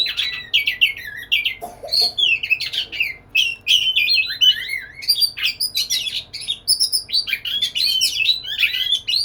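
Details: Oriental magpie-robin (kacer) singing vigorously to court a female: a dense, rapid stream of varied whistles, chirps and slurred notes, with many phrases rising and falling, continuing without pause for over nine seconds.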